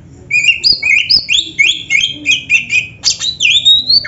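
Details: Oriental magpie-robin (kacer) singing energetically, a recording played so caged birds hear a rival and answer: rapid run of bright, high whistled notes, often rising or falling, about three per second, ending in a long upslurred whistle.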